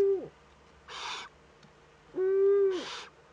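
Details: Eurasian eagle-owl youngster in a webcam-monitored nest, northern Rhineland-Palatinate, Germany, 15 May 2013, at its first contact with another owl: a long, steady, harmonic nasal wail sits between short rasping hisses.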